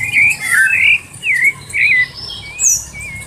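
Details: Sabiá thrush singing a warm-up song: a series of clear, slurred whistled phrases, the first few loud and rising then falling, followed by a softer, thinner high note and a faint final trill, over a quiet background.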